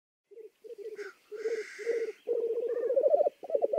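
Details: Black grouse in Lithuania: low, bubbling rolling coos in pulsed phrases that lengthen into a sustained burbling trill, with a harsh hissing sneeze-like note breaking in early on.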